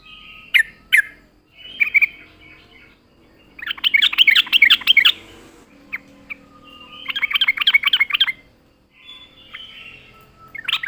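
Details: Yellow-vented bulbul singing as a lure for catching birds. Scattered sharp notes and short whistles lead into two dense bursts of fast chattering notes, with quiet background hum between phrases.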